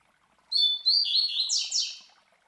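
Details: Captive master Double-collared Seedeater (Coleiro) sings the classic Tui Tui Zel Zel song used to tutor young birds: high clear whistles, a falling series of slurred notes, then two steep buzzy downslurs fading out.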